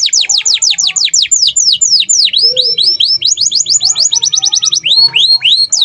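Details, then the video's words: Domestic canary singing vigorously as a tutoring recording for other songbirds: a fast series of sharply falling whistled notes, several per second, shifting into quicker rising-falling sweeps and paired arching whistles, with a faint low hum behind. "KENARI GACOR DOR 2 JAM FULL TANPA IKLAN"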